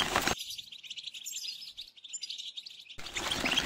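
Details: A European goldfinch gives its mating song, twittering fast and high in a tinkling run of liquid notes and buzzy trills, framed by brief bursts of broadband noise at the start and end.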